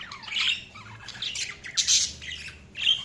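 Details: Budgies giving harsh, scratchy squawks and short chattering bursts, each separated by brief pauses, with one sharp call near the end.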